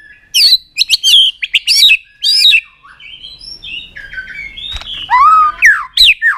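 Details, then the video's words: White-rumped shama singing a many-voiced training song meant to excite the bird: bursts of loud, ringing whistled notes and quick trills, a quieter chattering middle section, then strong descending and rising whistles. "Kích Chòe lửa Lên Lửa, hót nhiều, chòe lửa đánh đuôi kích cực nhạy.luyện chòe lửa hót nhiều giọng"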